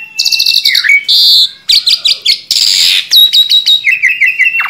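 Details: Vigorous song of a tame Asian pied starling: buzzy whistles, a falling slur, a long harsh rasp, a string of sharp chirps, another broad rasp, then rapid repeated squeaky notes.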